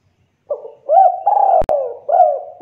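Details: Spotted dove song used to provoke other doves to answer: a soft low note, a hooked coo, then a long rolling coo broken by a sharp click, with another coo starting at the end.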